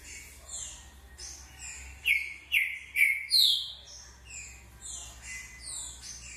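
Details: Green-winged saltator, short song style: four loud, ringing whistles in quick succession mid-clip, each sharply attacked and falling slightly, framed by quieter slurred notes and faint high chirping before and after.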